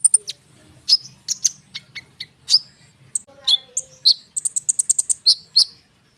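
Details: Konin bird singing densely as bait for sunbirds and other small birds: bright, piercing chirps, a short descending slur, and a rapid burst of high chips toward the end.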